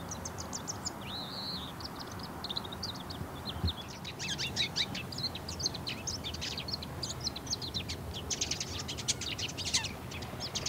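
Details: Courtship song of a bull-headed shrike: a sustained medley of rapid chattering, a downward slurred whistle, and dense clicking trills that grow busier toward the end, above a low hiss.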